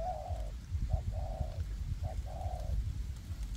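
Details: Spotted dove decoy birds, a hanging and a ground decoy working together in a forest to lure wild doves for trapping: three low hollow coos, a short note then a longer drawn-out one, over a steady low rumble.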